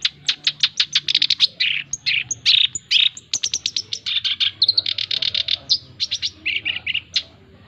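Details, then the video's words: Male black-browed reed warbler in energetic song, used to train and lure other birds: a rapid, high, chattering stream of scratchy repeated notes and harsh buzzy phrases with short whistled slurs, barely pausing. "Masteran Dan Pancingan Bunyi Burung Kerak Basi Alis hitam (SINCHAN) Jantan Gacor"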